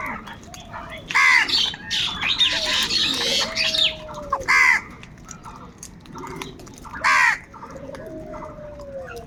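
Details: Crows fighting for food: three loud, harsh caws about three seconds apart, with a burst of rasping chatter between the first two and quieter scratchy calls and a thin tone in the background.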